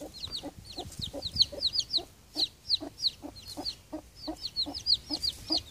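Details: A small broody hen and her three October-hatched chicks; clustered high falling peeps come in bursts, with the mother's low clucks repeating beneath them and faint rustling.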